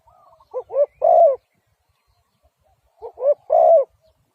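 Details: Spotted dove repeating one phrase twice, two quick low coos then a longer drawn-out coo, separated by a quiet gap of about two seconds; faint high whistles in the background.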